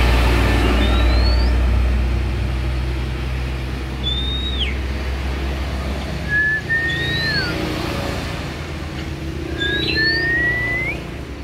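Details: Oriental magpie-robin raised from young, giving spaced clear whistles, some rising and some falling or bending, every couple of seconds over a loud low rumble of traffic or engine noise.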